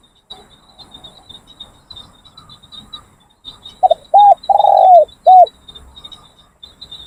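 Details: Spotted Dove training decoy cooing during a training session in Thailand: after a few quiet seconds, four loud, low, hollow coo notes come in quick succession, the third long and drawn out, over a steady high insect buzz.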